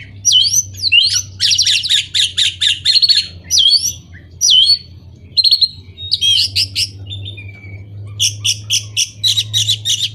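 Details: Loud orange-headed thrush song, played to spur moulting or non-singing birds: rapid sequences of sharp upslurred notes and dense repeated stuttering syllables, in bursts separated by brief pauses, above a low background hum.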